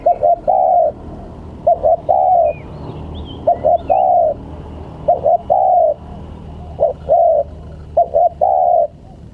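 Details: Spotted dove, in a recording made to tease or lure wild birds, giving low hollow coos in repeated phrases of two quick notes followed by a longer drawn-out coo, about every one and a half seconds, with faint high chirps from other birds.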